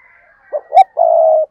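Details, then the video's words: Spotted dove giving a low three-part coo, two quick soft notes then a sustained steady hoot, with a faint thin whistle from another bird in the background. "cu gáy"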